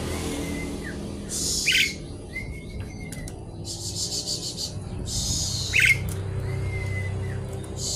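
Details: Javan pied starling singing noisily as if seeking a rival: long flat whistles that end in a downward drop, alternating with loud harsh hissing bursts, over steady low background hum.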